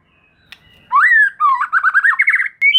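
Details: Provoking song of white-rumped shama aimed at juveniles: a faint click, then a rising whistle followed by a rapid stuttering chain of slurred notes ending in a bright upward whistle.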